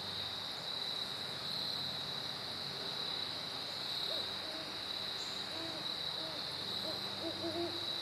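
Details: Great horned owls duetting, recorded on September 15, 2012: a run of low, soft hoots begins about halfway through, with quick stuttered double hoots near the end, all over a steady, shrill cricket chorus.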